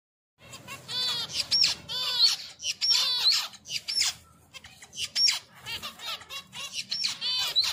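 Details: Finches during mating give harsh, squawky chattering calls. Arched, harmonic notes come in quick irregular bursts, with brief pauses between the groups of notes.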